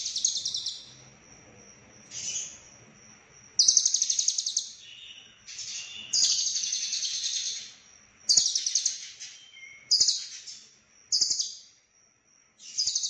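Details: Lovebird from Cililin in konslet style, full isian: repeated short and long bursts of shrill, rattling chatter with brief whistled notes between, the rhythm irregular, over a faint constant high whine.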